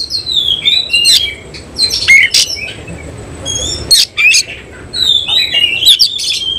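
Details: Singing nembak style, a semi cililin oriental magpie-robin opens its tail in ngobra posture. Drawn-out descending whistles are broken by abrupt harsh bursts, and after a short break near the middle another falling whistled phrase starts.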